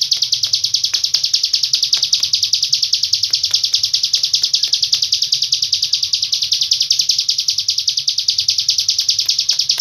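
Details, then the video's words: Captive hill prinia tutored with cililin song, in an unbroken, long-breathed song of fast, high, scratchy chattering notes, about two or three each second, with a few sharp clicks. "ciblek gunung isian cililin nafas panjang"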